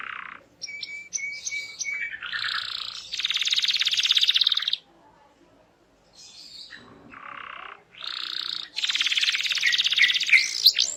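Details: Canary in lively full song, meant to prompt other canaries to sing along. Whistled notes lead into long buzzy rolls, a pause, then more rapid trills and rolled phrases.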